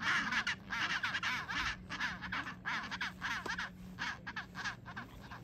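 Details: Many nesting Chinstrap penguins on Half Moon Island give loud, harsh, braying calls in rapid overlapping bursts, over a steady low hum.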